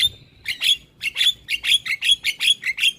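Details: Starling song used as a lure for other starlings and to make lazy birds sing, with a rapid, steady run of grating, buzzy notes, nearly three per second, after a short thin whistle.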